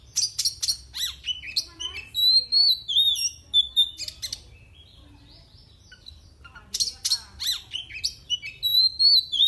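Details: Oriental magpie-robin, a kept bird in Indonesia, singing to wind up rival birds: scratchy chatter and clear wavering high whistles in two bursts separated by a quiet gap.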